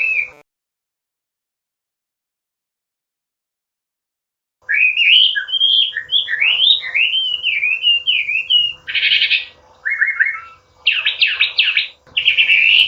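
A Chinese hwamei sings a rich, varied run of loud whistled phrases, slurring and warbling, broken by harsher buzzy bursts and rapid trills after a silent start.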